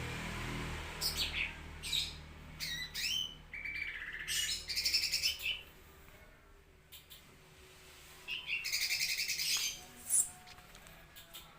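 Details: Green leafbird tutor song for cage-bird training: scattered chirps and chattering phrases, a short jumble of warbled notes, a pause, then a dense, buzzy twittering burst and one loud high note, over low rumbling background noise.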